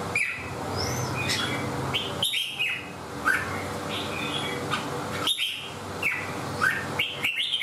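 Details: Red-whiskered bulbul kept in a cage sings while fanned out and clinging to the bars, giving clear whistled notes and slurred phrases, some sharply rising, in bursts separated by brief pauses and faint clicks, over a low hum.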